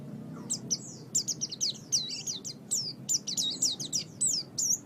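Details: Oriental white-eye song from a master recording for training pet birds: a rapid run of high, thin chirps and short up-and-down whistled notes, about three per second, over a faint low background hum.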